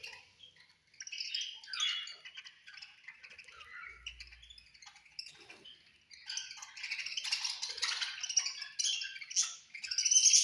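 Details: Budgies at food time give soft, scattered chirps and low warbles at first, then a louder, denser stream of high squeaky chatter building toward the end.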